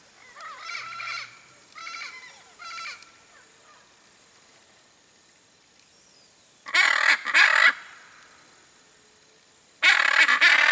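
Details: Foraging hyacinth macaw in riparian forest, seeking coconuts and seeds; three moderate, gravelly calls, then after a quiet gap two very loud, harsh, grating screeches and another burst at the end.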